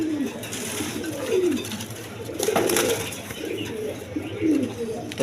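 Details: Repeated descending, throaty coos from native and foreign colour pigeons kept with eggs and chicks come every second or so, with a louder bout in the middle and a low hum throughout.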